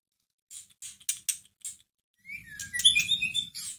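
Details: White-rumped shama played as a lure to stir a listless caged bird into answering. Dry clicking chips and short buzzy notes come first, then a burst of rich varied whistles and trills with a low rumble underneath.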